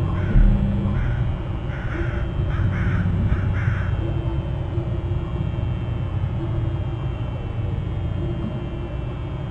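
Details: Eagle at the nest on Hornby Island, filmed by a nest camera: a run of short, harsh, repeated notes in the first four seconds over a steady low rumble of wind and camera noise.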